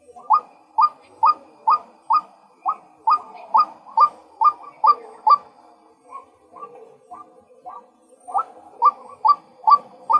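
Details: Male white-breasted waterhen calling in a long run of quick, rising notes, about two per second. Midway the notes soften and become more spaced, then return loud and regular toward the end.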